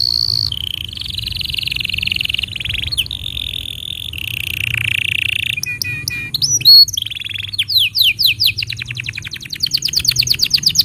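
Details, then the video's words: Canary tutor song for teaching young canaries and prompting silent ones to sing: long steady whistled tones, then buzzy broken phrases, then fast rapid trills and rhythmic pulsed rolls repeating near the end, loud and clear. "Masteran Untuk Kenari Paud Dan Pancingan Kenari Macet Bunyi"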